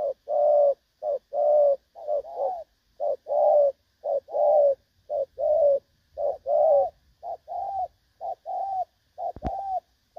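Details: Spotted dove calling, a recording of the type used as a decoy for trapping; a run of low, soft coos in short paired notes, a brief lead-in followed by a longer coo, repeated steadily about once a second, with one sharp click near the end.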